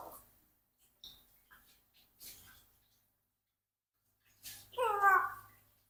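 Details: A 4-year-old Congo African grey parrot says a short, wavering, human-like phrase near the end, after a few soft clicks and faint murmurs in a quiet room.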